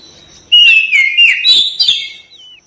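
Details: Vigorous song of an Oriental magpie-robin (kacer), tail fanned: a short, loud, rich run of mixed whistles and chirps, ending in a thin falling whistle.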